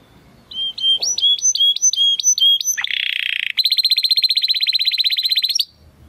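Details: Belgian canary in 'estralando' song: repeated hooked whistled notes, a dense harsh buzzing segment, then a long, fast, pulsing trill that stops abruptly.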